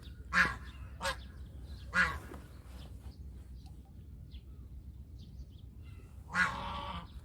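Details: Domestic goose giving four quick harsh honks within the first few seconds, a quiet pause, then one longer drawn-out honk.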